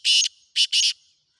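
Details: Black francolin calling: three loud, harsh, grating high bursts, a long one followed after a short gap by two more in quick succession, in an otherwise silent background.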